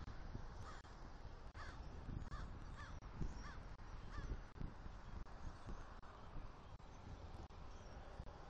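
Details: A pair of eagles, male and female, vocalising while mating on the upper part of their nest one morning in Southwest Florida during nest building; short, faint, chirping notes repeat about every 0.7 seconds over steady low wind rumble.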